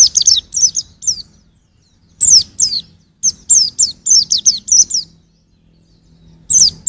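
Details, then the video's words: White-eye song for songbird training, delivered as irregular phrases of thin, high downslurred notes, a long run in the middle and quiet gaps between. "Kicau Pleci untuk Masteran"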